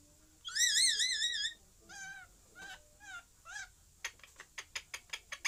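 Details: Parrot calling: a loud wavering, warbled squawk with strong harmonics, then shorter wobbling calls, followed by a fast series of sharp clicking notes.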